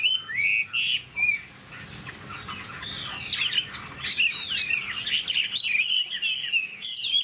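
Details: A tame Chinese hwamei sings loud, rich phrases of clear whistles and rapid slurred notes, rising and falling, broken by brief pauses, with scratchy chatter between.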